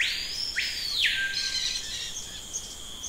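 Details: Screaming piha in a jungle setting: loud, piercing whistles made of a steep upward glide, then a long falling slur that levels off, over a constant high insect drone.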